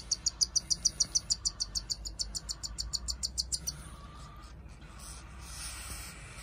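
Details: Two pet cockatiel chicks being hand-fed, giving a fast, even train of high peeps, about three per second, as they grab the food, fading into a softer hiss after a few seconds.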